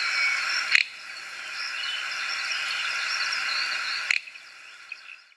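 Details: Male little bustard singing in the rain: two short, dry snorting 'prrt' notes about three and a half seconds apart over a steady hiss of rain.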